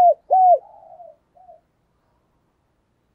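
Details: Decoy spotted dove calling eagerly to rouse other doves: a clipped note and a loud down-curving coo followed by soft murmured notes, then silence.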